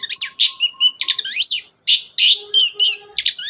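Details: Long-tailed shrike singing energetically as a lure for shrikes that will not sing: a busy, varied medley of sweeping whistles, squeaky slurred notes and buzzy phrases with brief pauses.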